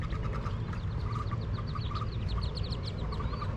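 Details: Peeping Wood duck ducklings leaving their nest box, recorded from below: quick series of thin descending peeps, a few brighter mid-pitched notes, and constant low-frequency rumble underneath.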